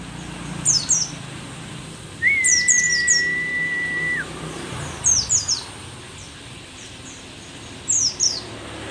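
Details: Mountain white-eye, an old bird from Merapi described as rare; short bursts of high, sharply down-slurred chirps come in clusters, with one long steady whistled tone in the middle and faint background hiss.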